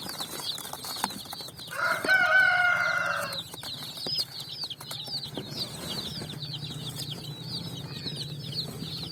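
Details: Colour-dyed chicks on sand at evening while looking for food: steady high chirping from many chicks, with a loud, harmonic, sustained call for about a second and a half near the start.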